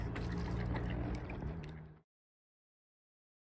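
Two seconds of low, steady rumbling and gurgling water, likely a motor or moving water, then silence, with no animal calls.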